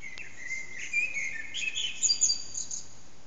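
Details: Early morning Eurasian blackbird song at about 4:30am in a backyard whose echo makes it loud, bird out of sight, taken with an HTC Desire; varied fluty and chirping notes, a louder twittering flourish near the end, constant low hiss.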